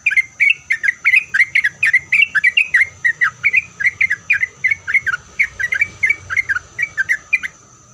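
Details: Lively sooty-headed bulbul song used to provoke replies from other bulbuls, a steady run of short bubbling, rising-falling notes repeated quickly for about seven seconds, then stopping, over a faint low background hum.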